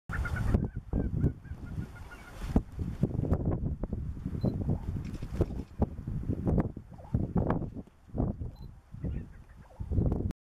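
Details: Lesser prairie-chickens displaying on a ranch in northwestern Oklahoma: low, hollow honking and gobbling notes repeated irregularly, mixed with short clicking, cackling bursts and occasional faint higher squeaks, with steady outdoor background noise.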